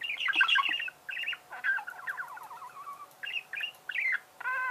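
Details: Budgerigar warbling: scratchy squawks run into a long, rippling twitter that slides downward, followed by short chirps and a nasal buzzy note.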